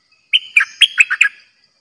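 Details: Caged bulbul kept as a decoy bird for trapping, giving one quick bubbly phrase of six rich, slurred notes with sharp starts, packed into about one second, in a quiet setting.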